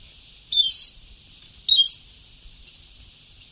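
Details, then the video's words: Sebtawi-style European goldfinch song from an old recording: two loud, buzzy-twittering high phrases about a second apart, ending on a sudden chirp. "Canto del jilguero antiguo شريط تغريد سبتاوي قدييييييم روعة"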